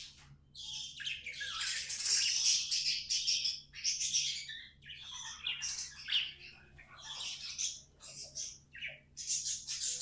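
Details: Singing pet budgies, tamed: a long, rambling, buzzy warble of fast chirps and harsh squawky notes, rising and falling in loudness over ten seconds.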